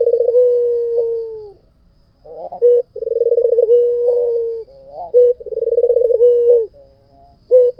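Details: Repeated low coos from a white puter dove: rapid trembling pulses swell into a long steady held note, each phrase lasting about a second and a half, separated by brief wavering notes and short gaps.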